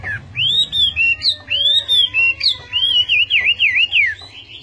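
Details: Chinese hwamei giving loud, clear, fluting whistles that slide up and down, ending in a rapid series of wavering notes, each phrase separated by short pauses; a faint low hum underneath.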